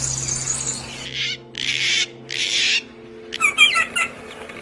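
Harsh, hissing bursts give way to a quick cluster of bright, high chirps near the end. Faint low humming tones sit underneath.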